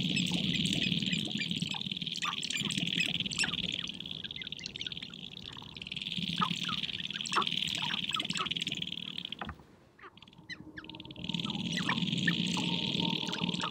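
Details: Sharp-tailed grouse gathered on a prairie hilltop in spring, dancing and fighting to attract females; dense chorus of cackling, clucking calls and bursts of chatter, with low drumming-like rumbles underneath, a brief lull near the end, then the chorus resumes.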